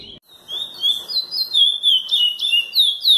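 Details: Curió, the chestnut-bellied seed finch, in Praia Grande classic song: after a short pause, clear whistled phrases of slurred, wavering notes build in loudness, repeated in quick pulses several times a second.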